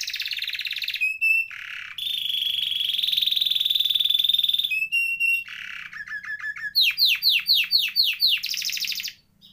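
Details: Canary singing a varied, long-rolled song, used as tutor or lure for non-singing canaries; thin whistles, buzzy trills and rolls switch quickly, ending in a series of loud down-swept chirps.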